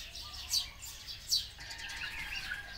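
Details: Oriental white-eye calling alongside sparrows: two sharp, high thin notes about a second apart stand out over a soft, continuous background of faint chirping.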